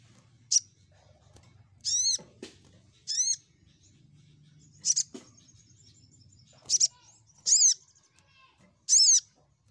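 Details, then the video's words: Crimson sunbird singing as a lure for rivals: piercing single chips alternate with ringing, arched notes that rise then fall, spaced a second or more apart over a quiet background hum. "Pancingan SogokOntong Gacor N3mbak Memanggil Lawan"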